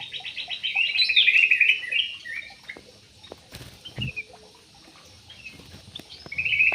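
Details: Aviary parakeets giving a burst of rattling, grating chatter, then scattered squawks, faint taps, and a final loud harsh call.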